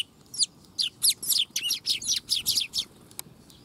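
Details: Eurasian tree sparrow youngster, 22 August 2021, producing a fast, steady series of high, slightly buzzy chirps, roughly four per second, ending in a single faint click and quiet.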